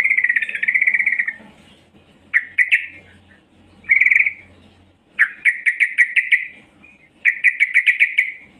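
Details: Female yellow-vented bulbul calling vigorously as a lure for males: a drawn-out buzzy trill, short sharp chips, another brief buzz, then two quick bubbly runs of rapid repeated notes.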